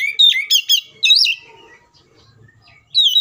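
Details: Agitated fighting song of an Oriental magpie-robin, used to lure other magpie-robins into song: quick bursts of bright, looping whistles with sharp upward and downward slides, a quiet twittering pause, then another strong whistled phrase.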